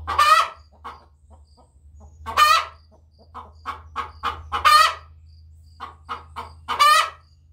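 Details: A Wyandotte hen sings in rarely heard song, with loud, hoarse squawks roughly every two seconds, separated by clusters of low clucking notes over a faint steady hum.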